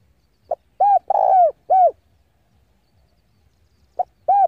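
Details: Spotted dove used as a decoy, cooing to challenge rivals: a short clipped note, then smooth arched coos with a longer hoarse middle coo, and a new phrase begins after a pause of about two seconds.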